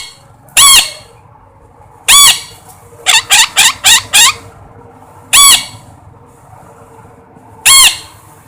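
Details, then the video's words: Parrot calling: loud, harsh, nasal squawks, single calls spaced a second or two apart, with a quick run of five shorter squawks in the middle. "suab noog yeeb kub quaj zoo heev tiếng vẹt keu"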